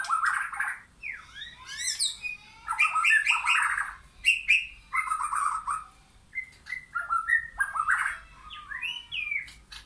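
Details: White-rumped shama, wild or caged, in a backyard forest: rich varied song of clear whistles, rising and falling slurred notes and quick chattering phrases, delivered in rapid bursts with short pauses throughout.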